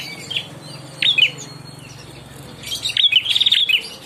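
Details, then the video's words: Young ashy prinia giving brief high chirps, then a longer fast, rattling trilled phrase of sharp repeated notes near the end, with a faint low hum in the background. "Burung prenjak klawu muda gacor"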